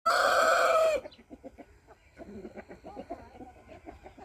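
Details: A rooster gives one loud, harmonic crow lasting about a second, then falls silent while soft, irregular clucking and low chattering notes continue.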